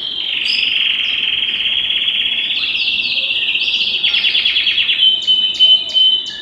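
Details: Belgian canary song used to stimulate singing and bring females into breeding condition: loud, continuous high rolling trills and chattering phrases, shifting into rapid repeated pulses and then clear whistled notes near the end.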